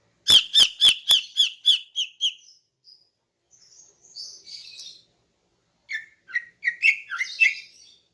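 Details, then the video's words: Female greater green leafbird in the morning, calling to lure males: a fast train of loud, clicky chirps slows and softens, then a soft high buzzy trill, and finally a burst of lower, varied twittering notes. "KICAUAN CUCAK IJO BETINA PAGI HARI 🔥 Alternatif untuk Pancing Jantan"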